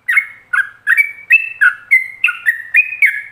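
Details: Fast ropelan song of a yellow-vented bulbul, meant for other bulbuls to learn from: a continuous chain of loud, bubbling whistled notes, each sliding between high and lower pitches, about three per second.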